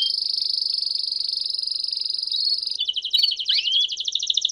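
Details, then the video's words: Canary holding a long continuous high buzzing trill, then breaking into quicker pulsed rattles and a rising whistled slur, clear and uninterrupted. "Canarinho Cantando Campainha Lindo - O Melhor Para Canários"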